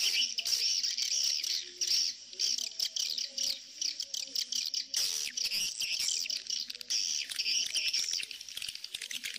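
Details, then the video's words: Edible-nest swiftlet colony and mating calls blended as a lure: a steady stream of shrill, buzzy twittering with clicking chirps and short pauses, and no other sounds. "sp koloni walet birahi"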